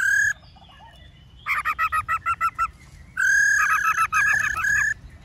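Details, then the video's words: Black-throated laughingthrush singing many varied forest-style phrases, used for training caged birds. A loud nasal note opens, then a rapid burst of about eight ringing, evenly spaced notes, then a long, rich, warbling phrase of rising and falling notes over low background rumble. "Khướu Hót giọng rừng NHIỀU GIỌNG"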